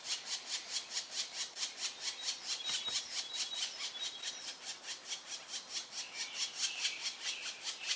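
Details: Black woodpecker (Dryocopus martius), observed in the Eifel, Germany: harsh, rasping notes repeated steadily about twice a second, with a thin whistle faintly behind.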